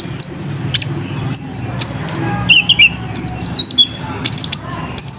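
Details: Kolibri ninja, or olive-backed sunbird, giving its lure song to attract wild birds: shrill high chirps and whistles, a dipping lower-pitched twitter in the middle, then fast bursts of chips.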